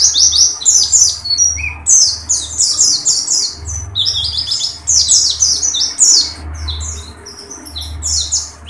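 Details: Open-beaked Oriental white-eye in dakun style, pouring out near-continuous streams of shrill, rapid, downslurred chirps in several bursts, a low electrical hum underneath.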